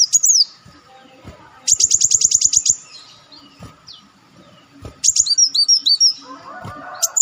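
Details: High ticking trills and a warbled, wavering whistle from an olive-backed sunbird lure recording, in bursts separated by near silence, with a short rustle at the close.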